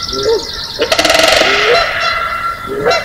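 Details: Canada Geese at early morning on May 4, 2016, in Johnson Prairie's natural amphitheater, Southern Oregon, competing with Sandhill Cranes for the most noise: short rising nasal honks, a burst of rapid rattling calls, then more honks over a dense bird chorus.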